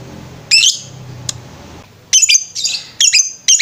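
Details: Lovebird heard in a master recording meant to train birds: a lone harsh chirp, a quiet pause, then a burst of clustered squawky high chirps in quick pairs.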